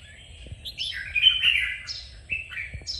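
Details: Red-whiskered bulbul singing, used to stimulate a trained bird: short slurred whistled notes rising and falling, with one louder warbled phrase near the middle.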